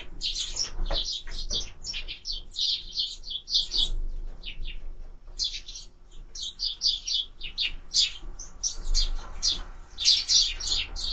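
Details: Sparrows at a bird feeder produce long runs of quick, high chirps in irregular bursts with brief gaps, several birds calling together.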